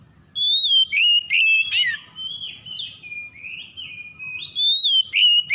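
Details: Oriental magpie-robin (kacer) lure song intended to restart singing in stressed birds; a near-continuous string of sliding whistles, some loud and clear, some softer and stepping downward, over faint low hum.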